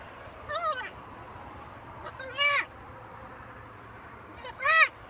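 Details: Macaw parrot speaking three separate short phrases, each a harmonic, arched syllable, the last loudest, roughly two seconds apart, with low steady background noise.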